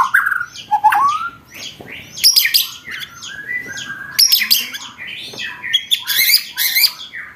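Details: Song for training contest birds from a white-rumped shama (murai batu): loud sharp rattling bursts broken by short whistled notes and chattering.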